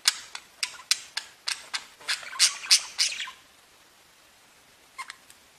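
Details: Budgerigars singing and chirping: a quick, uneven burst of sharp squeaky chirps and short chattering notes for about three seconds, then near quiet with a few faint chirps.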